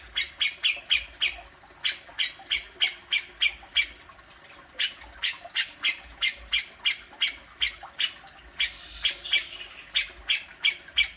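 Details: Harsh besetan calls of a cucak jenggot, or grey-cheeked bulbul, meant to coax a caged bird to call. Sharp, scratchy notes come roughly three per second in irregular bursts, with a brief gap near the middle.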